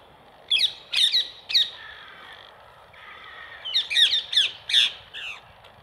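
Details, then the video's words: Feeding on apples laid on wire mesh, rose-ringed parakeets let out three sharp, raspy shrieks, a short pause, then a rapid run of four or five more. "PERRUCHES à COLLIER, cris et repas aux pommes"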